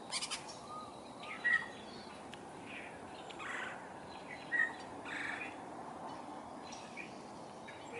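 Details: A woodpecker feeding on insects in a backyard willow, where downy and red-bellied woodpeckers were present in 2022, makes two short rough churred notes about three seconds apart, with faint chirps and steady background noise between them.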